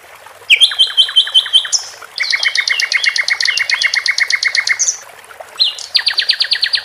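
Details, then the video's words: Loud, close song of a caged sikatan londo flycatcher: upslurred whistles leading into rapid stuttering trills, some notes doubled in two pitch layers, phrases restarting after short breaks; water trickles faintly behind. "Sikatan Londo di Iringi gmricik air cocok Untum Masteran Dan memancing jagoan bos kuh berbunyi"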